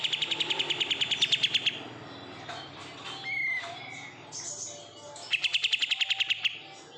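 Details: A caged oriental white-eye reared from a bulk-caught batch opens with a loud, rapid, buzzy trill, adds a few whistled slurs, then repeats the fast trill.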